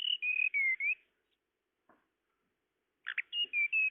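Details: Tledekan lure call: a brief phrase of clear whistled notes, one falling then rising, then silence, then a harsh double chip leading into more whistled notes.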